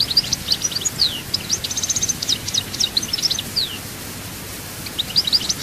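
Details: European goldfinch at Souk Ahras pouring out a fast jumble of high chirps, slurred whistles and brief rattles for almost four seconds, then a short pause before a new twittering phrase starts, low hum behind.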